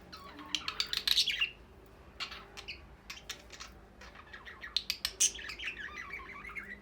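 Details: Pet budgerigars (Australian parrots) described as ready for breeding: two bursts of dense, high chirping warble and chatter separated by a quieter stretch with scattered tweets, over a faint steady hum.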